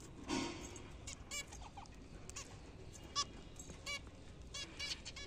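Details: Zebra finches kept as pets during a morning meal of fruit and seed, uttering scattered short nasal beeps and buzzy notes, with a low thump at the start.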